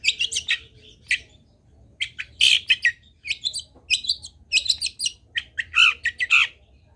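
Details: Lively Long-tailed shrike song full of fill phrases, meant as a tutor for other shrikes: chattering, rasping phrases in uneven groups with harsh squawk-like notes toward the end.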